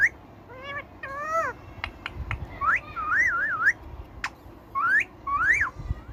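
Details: Talking Indian ringneck parakeet mixing nasal, speech-like syllables with clear whistled phrases that rise and wobble up and down, some clicks between them, against a low murmur of room noise.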